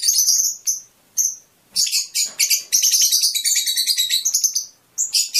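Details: Fischer's lovebird singing to stimulate mating: bursts of shrill, high chirps and squeaky twitters in rapid runs, broken by short silences.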